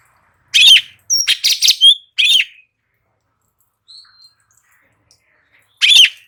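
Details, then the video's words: Light-vented bulbul singing in "ngebren" style for training other birds to respond: a loud harsh chirp, a rapid run of four raspy notes, another burst, a long pause with a faint whistle, then one more harsh note. "Cucak Cungkok NGEBERN"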